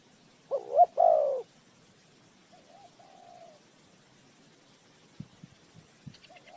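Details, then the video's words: Spotted dove used as a lure for trapping. One loud, rolling coo phrase with a short double note and a full drawn-out note is followed by faint softer coos and a few light clicks. "Tiếng chim cu gáy mồi chuẩn gáy gọi cực hay"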